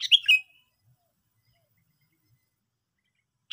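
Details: Sooty-headed bulbul uttering one quick gurgling, slurred phrase, then a long silence before the start of another phrase cuts in at the end; faint low thumps in between.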